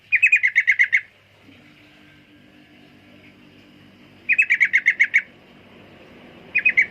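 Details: Sooty-headed bulbul song: a fast burst of about eight bright, chirpy notes, then a long gap before a similar burst and the start of a third, with a faint low hum in between.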